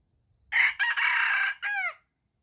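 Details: Crowing junglefowl male at a baited trap, rivals answering one another. A piercing crow: short rasping start, pause, sustained loud harsh note lasting half a second, then a falling final syllable. Nothing else audible.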